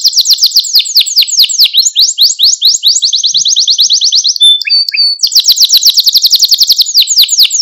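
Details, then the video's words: Singing male Maltese canary, used to stimulate other canaries, pours out rapid downward-sweeping notes in dense rolls, with a steadier high trill and a few clipped chirps. "Etkileyici Malta Kanarya Ötüşü Ve Erkek Kanarya Sesi"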